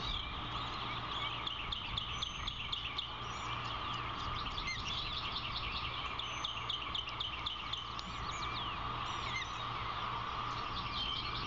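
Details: Osprey at a Savannah nest on 16 April 2021, as the female feeds two newly hatched chicks, chirps in quick short whistled notes, about four a second, over higher twitters from other small birds and a steady low hum.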